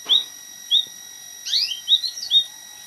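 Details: White-headed munia (emprit kaji) singing as a tutor song for an oriental magpie-robin: short, high, clear chirps spaced apart, then a quick cluster of slurred rising and falling whistles, over steady thin electronic tones.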